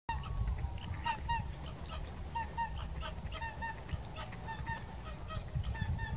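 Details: Whooper swans, dancing and calling at Kuligów, Poland, on 16 February 2018, trumpet in loud, nasal, bugle-like honks that come in quick overlapping pairs from several birds, over a steady low rumble of wind.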